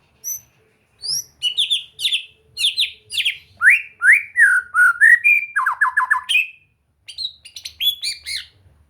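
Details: White-rumped shama singing as practice material to make a bird vocal and gacor; dense rich phrases of buzzy downslurs, rising whistles and a quick stuttering trill, followed by softer high notes.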